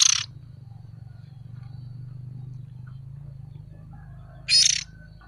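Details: A juvenile oriental magpie-robin, recorded for use as a lure, gives two brief, loud, scratchy rasps about four seconds apart, with a continuous low droning hum between them.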